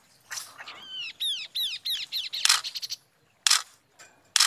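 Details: Chestnut-capped babbler song used as a lure to provoke other birds to answer: a run of clear, downward-sliding whistled notes, followed by loud broadband bursts.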